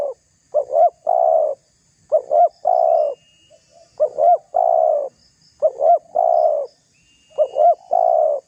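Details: Spotted dove calling to goad rival doves. The phrases repeat about every one and a half seconds: a quick double note, then a long sustained coo, five times in a row.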